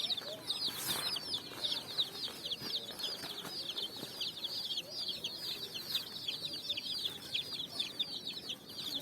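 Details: Many coloured chicks foraging on sand at evening, out of cardboard boxes; rapid overlapping high peeps, each a short falling slur, pour out steadily with a brief scratchy burst near the start.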